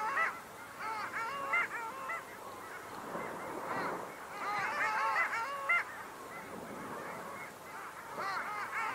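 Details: A flock of long-tailed ducks (Clangula hyemalis) calls in overlapping bursts: nasal, yodelling notes that wobble up and down, rising in waves every few seconds.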